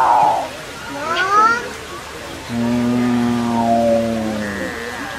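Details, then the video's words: Capuchinbird giving a low, droning moan that holds for about two seconds and then sags downward, preceded by short rising whines. "Capuchin Birds Sing"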